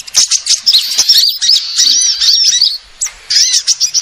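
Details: Lure recording of assorted sunbirds: rapid high chirps and short trills tumbling over one another, a short pause near the three-second mark, then more bright chirping.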